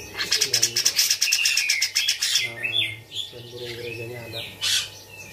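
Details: Captive, tame Bearded bulbul singing busily, its song stuffed with grejaan mimicry; a rapid ticking trill over a sliding whistle, then softer warbles and one loud chirp, with low buzzy sounds and a background hum.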